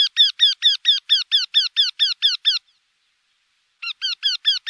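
A Eurasian wryneck gives a fast series of about a dozen nasal, slightly falling 'quee' notes, roughly four a second. After a short pause, a second series begins.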